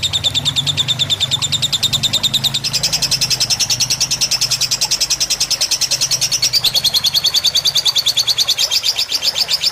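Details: A lovebird in fighter style on a tutor recording with a water background pours out nonstop rapid chirping, jumping higher in pitch partway through and then easing down, over a low hum.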